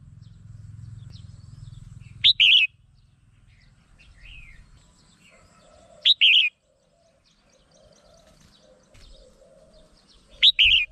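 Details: Lure sound for trapping a red-whiskered bulbul: three short, loud, slurred whistled phrases spaced about four seconds apart, with soft chirps between and a low hum at the start.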